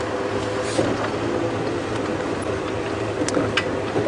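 A steady vehicle engine rumble with broad hiss and a few faint clicks, and no clear animal voice.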